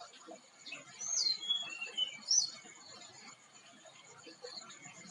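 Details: Flycatcher (tledekan) song: a few thin, high whistled notes, some sweeping up and some sliding down, bunched between one and two and a half seconds, over a faint, steady background hiss.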